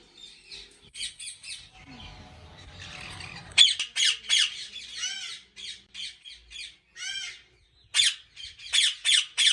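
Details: At a large breeding farm in Pakistan, faint chatter and a low background rumble give way to a burst of piercing, harsh squawks from ringneck parrots, repeated in uneven clusters with brief pauses.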